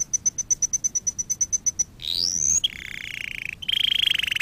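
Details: Canary song for training canaries: a quick even series of thin, very high piping notes, then a rising whistled sweep, followed by fast buzzy rolling trills in a lower register.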